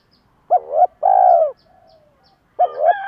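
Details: Spotted dove coos used as a lure for kept birds: a short rising coo, a long steady purring coo, then another rising coo after a pause.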